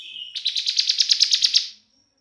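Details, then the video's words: Young ciblek, the Bar-winged prinia, singing in 'bren' fashion to lure other prinias into song: one thin high note leads into a rapid buzzy chattering trill of roughly a dozen pulses that fades out. "Ciblek semi gacor BREN"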